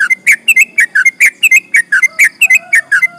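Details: Sooty-headed bulbul in active long rolling 'ropel panjang' song that agitates rival birds: loud, fast, ringing whistles, some up-slurred and some down-slurred, repeated several times a second without pause.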